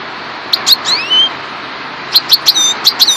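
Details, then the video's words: Subspecies parva goldfinch giving a couple of sharp chirps with sliding thin whistles, a quiet pause, then a regular series of bright clipped notes and a level whistle near the close. "chardonneret parva"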